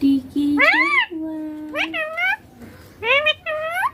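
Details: Indian ringneck parakeet, green, kept as a talking pet that says 'papa' and 'mummy': a low steady hum, rising and falling arched syllables, a held flat note, then two paired word-like bursts, in a small room.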